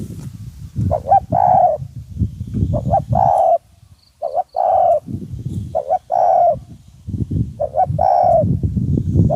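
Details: Decoy spotted dove cooing live while a wild dove comes in after the decoy is set down: low, hollow cooing phrases of a short note followed by a longer mellow coo, repeated about every two seconds, with rustling and low background noise.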